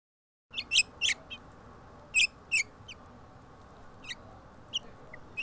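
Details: Five house finch hatchlings in the nest give short, sharp high chirps, some in quick pairs, then scattered fainter peeps over a steady low background hiss.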